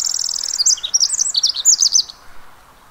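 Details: Pacific wren recorded at the Mamquam Spawning Channels, singing a fast, very high cascade of tinkling trills and squeaky warbled notes that rise and fall, ending after about two seconds, with a soft steady background hiss.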